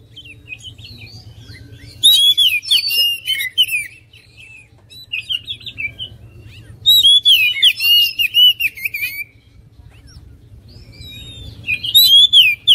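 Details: Oriental magpie-robin delivering repeated phrases of bright whistled, warbling notes with scratchy high trills, coming in bursts about five seconds apart over a quiet background.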